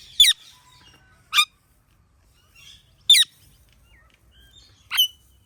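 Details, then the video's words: Ringneck parrot repeating short, sharp, high chirps, four in all, spaced one to two seconds apart over a quiet background. "Ringneck Parrot Natural Chirping Sounds"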